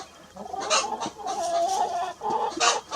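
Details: Hen clucking beside a little red rooster while grazing on a lawn: throaty clucks run into a drawn-out, slightly tonal moaning cluck, then a couple of sharper clucks close by.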